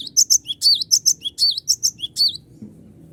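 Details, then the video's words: Lively cinereous tit song meant to provoke rival birds into singing, played as a lure: a rapid run of about a dozen bright, high chirps lasting over two seconds, then quiet with a low background hum. "GLATIK BATU GACOR PANGGIL LAWAN AGAR IKUT BUNYI || PANCINGAN GLATIK BATU"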